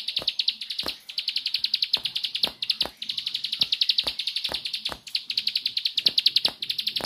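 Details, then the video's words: Near-continuous 'nembak' singing by a bar-winged prinia: a dense stream of fast, high, ringing note pulses with only tiny breaks, over regular sharp clicking. "Ciblek Sawah Nembak"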